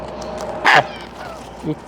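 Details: Pet bird kept indoors gives a single honk, a call it learned from another bird in the household: one short, loud, harsh burst near the middle, with a fainter low sound shortly after and a person talking softly.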